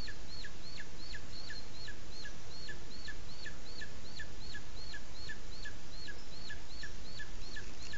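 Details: Booted eagle at its nest in Sierra de Guadarrama National Park, Spain, filmed by a nest webcam while the chick is presented to the male: high, sharply down-slurred notes repeated about four times a second over a steady low rumble.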